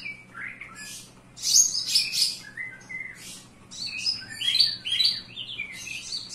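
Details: Indoor Javan bush lark in full song: rapid mixes of bright chirps, rasping bursts and brief falling whistles, phrases arriving in irregular bouts over a steady low background hum.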